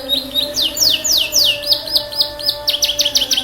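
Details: Canary in full song, used to prompt silent, stressed canaries to sing: a rapid series of clear downward-sweeping whistles, then looping notes and fast repeated high trills, over a steady low background hum.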